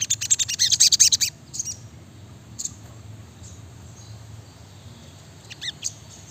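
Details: Brown-throated sunbird giving a short, dense burst of shrill rapid notes, followed by a long near-silent gap and a few scattered high chips at the end.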